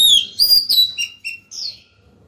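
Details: Female white-rumped shama singing to call the male: a clear descending whistle, then several short sliding whistled notes and a final bright upward phrase, with quiet background.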